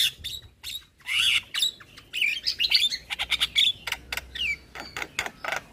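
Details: Javan myna lure song with many imitations, played to set other mynas calling: loud buzzy squawks followed by rapid clicking chips and brief whistles in a busy, uneven stream.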